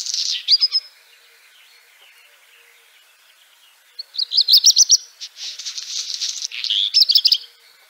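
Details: Black redstart (Phoenicurus ochruros) calling: a burst of high, sharp chirps at the start, a pause, then a longer run of rapid, scratchy, high-pitched notes with some buzzy bursts, ending abruptly.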